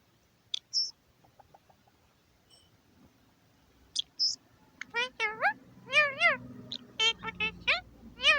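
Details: Caged male Indian ring-necked parakeet in a home aviary on New Year's Day 2021, chattering to himself: two short high whistles, then a dense run of arched, harmonic speech-like syllables building in the last four seconds over low room noise.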